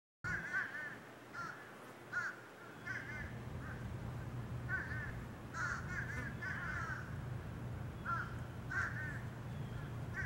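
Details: Crows in Savannah, Georgia, giving short harsh caws, singly and in quick runs of two or three, spaced irregularly over a steady low rumbling hum.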